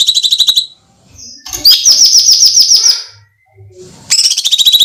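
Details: Bulbul, the cucak cungkok, recorded as training material for songbirds, producing eerie screaming calls: rapid high, buzzy notes in three bursts of one to two seconds each, separated by near silence with faint knocks.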